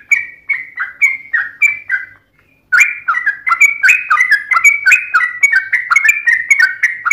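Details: Lively 'ropel panjang' song of a yellow-vented bulbul. Short burry whistled phrases pause for half a second, then give way to a dense, continuous run of fluty, warbling notes delivered rapidly.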